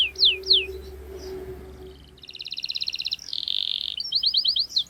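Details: Canary singing gacor ngerol style, meant to coax young canaries into learning: two sweeping whistles, a quiet pause with low hum, then a dense buzzy roll and a quick run of high chirps.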